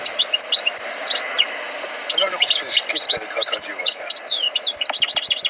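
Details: European goldfinch with tutored song, delivering scattered high chirps and short liquid twitters, then a denser stretch of quick tinkling notes with a few soft clicks.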